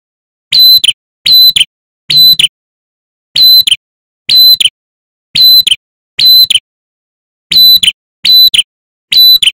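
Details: Male ashy tailorbird, a recording used as a lure to make birds sing: loud, sharp, high ringing notes in short bursts, often paired, repeated about once a second with brief pauses between groups.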